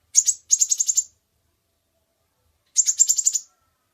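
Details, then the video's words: Kolibri ninja sunbird from a master recording for training birds: two bursts of a rapid, very high rattling trill, each under a second long, separated by a long silent pause. "Suara Burung Kolibri Ninja Pikat gacor Durasi Panjang mantab buat masteran"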